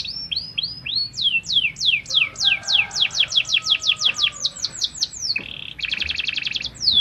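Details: Fighting canary singing a training song: rapid series of descending sweeps high in pitch, repeated about three times a second, shifting into a buzzy trill near the end; faint lower tones in the background.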